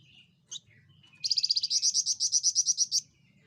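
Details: Javan fulvetta, a small loud-voiced insect-eating bird: a brief high note, then a sustained, fast series of around sixteen high, clear notes for nearly two seconds. The series is steady in pitch and ends abruptly.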